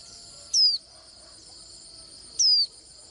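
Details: Two sharp, high, descending whistled notes from a Swinhoe's white-eye, about two seconds apart, set against a continuous shrill insect buzz.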